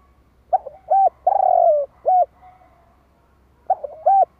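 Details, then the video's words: Spotted dove calling to lure wild doves: a phrase of short, low, hollow coos with one long drawn coo falling gently in pitch, given twice with a pause between, in a quiet setting with a faint low hum. "Tiếng chim cu gáy kích bổi nhanh nổi"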